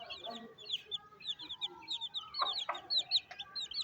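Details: Hen feeding her young chicks on a rainy day, village life in Pakistan; dense, high, downslurred peeps repeat quickly above occasional low soft clucks and faint taps.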